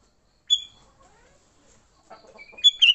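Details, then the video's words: Fighting song of a sooty-headed bulbul, played to lure bulbuls: an isolated sharp whistled note, scattered soft chatter, then a loud pair of bright, slurred whistles at the end. "Suara Burung Kutilang Gacor TARUNG Tanpa isian, Ampuh untuk pikat Kutilang jadikan Kutilang ribut."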